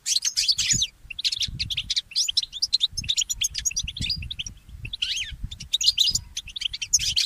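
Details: Mule goldfinch song in the early morning, a near-continuous stream of high, rapid, scratchy twitters and trills in long bursts, with a low rumbling background throughout.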